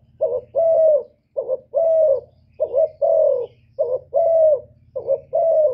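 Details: Male-provoking coo of a spotted dove: soft hooting pairs of brief notes, each leading into a longer, slightly falling coo, in a regular series with a faint constant low drone behind.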